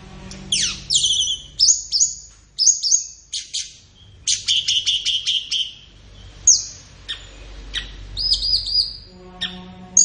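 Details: Flowerpecker master song for training captive birds, played in the morning or afternoon: a lively mix of high upslurred whistles, sharp clicking chips, a rapid stuttering trill, and thin buzzy notes.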